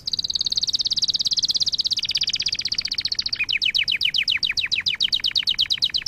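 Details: Canary song meant to train and excite canaries: a long high rapid trill that steps down midway, then breaks into a series of quick downward-sweeping chirps repeated several times a second.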